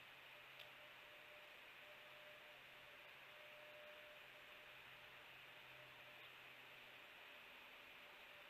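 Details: Steady hiss and a low electrical hum at the Hellgate osprey nest, with no animal calls heard.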